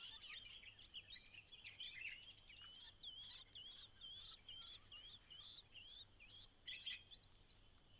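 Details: ['White-browed laughingthrush mother calling from outside the nest to coax her only chick out on its fledging day; a run of short, high chirping and squeaky notes repeated in bursts over steady background hiss.']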